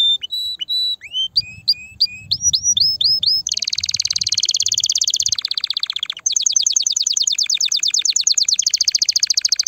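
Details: Excited canary singing to get females ready to mate and build a nest. Clear looping whistles come first, then long dense buzzy trills change pitch in distinct blocks, each sustained for several seconds.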